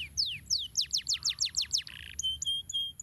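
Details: Canary song in a rolling style, used as a master recording for training other canaries: a run of fast, high, downward-sweeping notes, a short buzzy trill, then clear steady whistles near the end.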